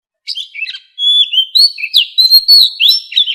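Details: Captive-bird training song in the forest voice of an Oriental magpie-robin: a few scratchy notes, then a continuous flow of sweet, slurred whistles that dip and rise.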